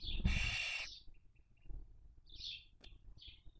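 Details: At a barn owl nest in Cabañeros National Park, Spain, during the 2023 breeding season: one rasping hiss lasting under a second, then faint thin whistles and two short squeaky chitters.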